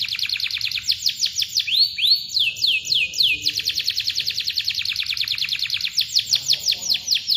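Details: Canary in long, dense rolling song to coax silent birds: rapid repeated downward-sweeping chirps broken by a few slower looping whistles, then fast rolls again.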